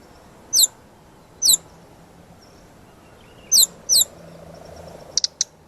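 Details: Brown-chested jungle flycatcher master song for training birds, a lure recording: sparse high, sharp downslurred notes spaced about a second apart, a pair of rapid high clicks near the end, faint background hiss.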